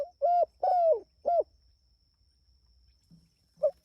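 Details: Spotted dove calling its companions, heard as a vigorous three-note cooing phrase: a short coo, then a long, slightly falling croo and a final clipped coo. A single coo follows after a pause, with a faint steady high whine behind.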